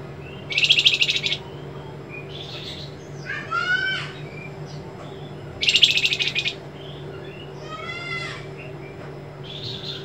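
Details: A white-rumped shama in a tutoring recording, noted for a trembling voice and sharp rasping bursts, alternates harsh, rasping bursts with sweet, falling whistled phrases roughly every five seconds over a steady low hum.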